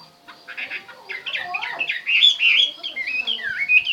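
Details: Chinese hwamei song, a burst of fast, jumbled chattering notes that turns into clearer looping whistles, loud and varied over four seconds, with a faint steady hum underneath.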